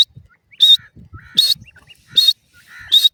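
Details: Female Iranian partridge with chicks calling: four loud, clipped high notes, each trailed by a softer lower buzzy tone, in near silence.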